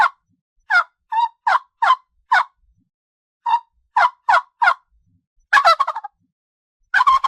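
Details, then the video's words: Farm turkey calling in steady short yelps, roughly every third of a second in runs, ending with a rattling gobble burst. "SOM DO PERU"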